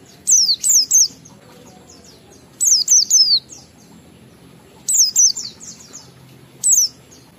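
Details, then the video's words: Ngalas-style song of an Oriental white-eye, played to lure other white-eyes into song: groups of three high, sharp down-slurred whistles repeated about every two seconds, ending with one lone note. "Suara Burung PLECI Ngalas sambung wiksar Bongkar Isian memancing semua pleci cepat gacor buka paruh"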